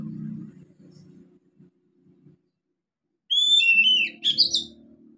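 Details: Young forest oriental magpie-robin starting to sing: after a low background hum, a short burst of clear high whistles slurring downward, then a few tangled squeaky notes.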